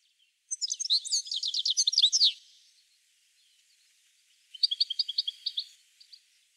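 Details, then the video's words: Song of a European goldfinch: a fast, rolling run of bright twittering notes lasting nearly two seconds, then after a pause a shorter, evenly spaced series of clear chirps. "Пение щегла"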